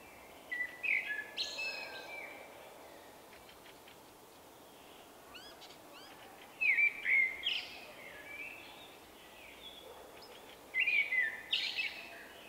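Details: Shy male Common Blackbird whose song differs from other local blackbirds, March 2024. Three mellow whistled phrases with squeaky high endings, spaced about four seconds apart; a short rapid series of thin rising notes sounds between them.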